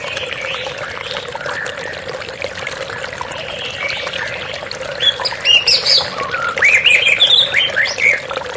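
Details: White-rumped shama singing in a therapy recording with running water: faint, blurred phrases under a loud water rush at first, then clearer rapid high whistles and trills toward the end.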